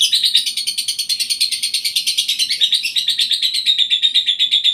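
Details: Lovebird in breeding condition, called gara birahi, delivering a rapid chattering run of high, buzzy chirps, about three per second, steady and unbroken throughout with no other sounds.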